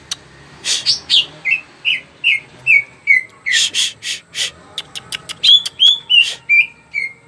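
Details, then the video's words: Greater green leafbird singing actively, its song used to lure other birds into song: a long series of clear repeated whistles with dry rasping notes in between, then quick ticking clicks and higher slurred whistles. "burung cuca ijo gacor. bagus buat pancingan biar burung cepat bunyi."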